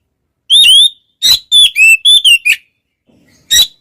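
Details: Kacer, or Oriental magpie-robin, singing loud clear whistles that swing up and down, delivered in quick bursts of four or five notes, then a short pause before another sharp note.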